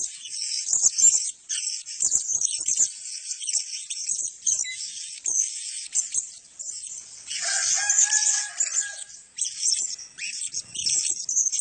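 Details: Several captive male blue-crowned hanging parrots give a steady stream of thin, shrill, high-pitched chirps and twitters, calling over one another throughout.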